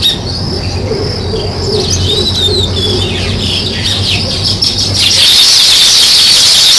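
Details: Sparrows chirp in quick overlapping notes above a soft lower wavering call, and the high chatter grows louder and denser toward the end.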